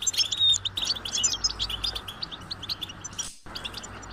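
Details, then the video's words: High-pitched, insistent begging calls of European goldfinch chicks wanting food from their parents: quick, jumbled chirps about three per second, strongest at first then fading, with a steady low hum and a brief dropout. "unique experience in stimulating goldfinch and chirping birds"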